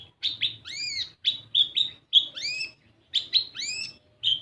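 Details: Sunbird (kolibri ninja) lure song to make young birds sing: pairs of sharp high chirps alternate with long upward-sweeping whistles, repeated in three similar phrases over a faint low hum.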